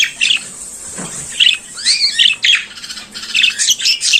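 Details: Morning song of a pet budgerigar, given as scattered squeaky chirps and short rasping notes, some rising and falling, spaced by quiet gaps.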